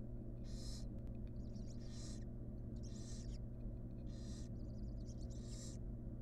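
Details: Wild barn owl nestlings in a nest box on the day the last of six chicks hatched; repeated broad breathy hisses about once a second, soft chittering between them, over a constant low hum.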